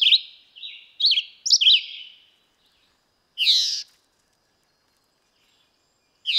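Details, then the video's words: Red-eyed vireo giving a few high whistled slurred phrases in quick succession, then a single harsher, buzzy note after a pause, followed by silence and a final brief phrase. "Singing Red-eyed vireo"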